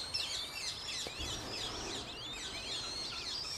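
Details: High, squeaky peeps from Eurasian coot chicks, five young with their parents at Beverwijk in the Netherlands, crowd together in a continuous twittering jumble of rising and falling notes.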